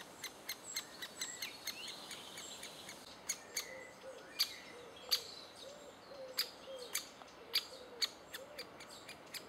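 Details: Adult great spotted woodpeckers feeding their chicks in June 2011 utter rapid, sharp clicking kik calls, quickening at times, while low cooing and other birds' whistles sound behind.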